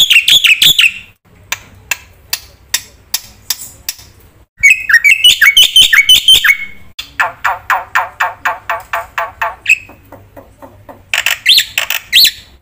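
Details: Black-winged myna singing a rich 'gacor full isian' song for luring and tutoring silent captive birds: loud bursts of warbled whistles alternating with fast, regular trains of sharp clicking chips, about three per second, and a buzzy chattering stretch.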